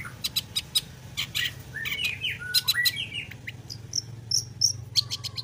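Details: Varied mimicking song of a long-tailed shrike: quick high chips, buzzy downslurred notes and thin whistled upslurs, ringing and shrill, mixed in a rapid sequence.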